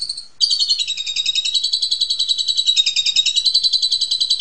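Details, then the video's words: Asian pied starling in ngentrok therapy song for kept magpie robins: after a brief pause, a continuous rapid buzzy rattle of fast pulsed notes, steady and unbroken to the end. "RAJA TERAPI JALAK SUREN SUPER NGENTROK BIKIN KAGET KACER RUMAHAN"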